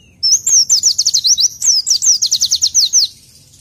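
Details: Oriental white-eye song played as training material. A continuous run of about twenty fast, high, downward-sweeping notes lasts nearly three seconds in two linked phrases, with a faint low background hum.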